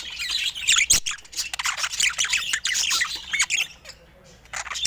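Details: Budgerigars filmed in natural Scandinavian light: energetic squawking chatter from several birds with a sharp click early on, fading to quieter chirps before a final burst.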